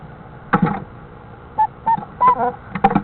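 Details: An owlet about to hatch, calling from inside its egg in a nest box after the male owl has left: three short, thin peeps, each under half a second, mid-pitched and slightly rising, between bursts of dull tapping and scratching.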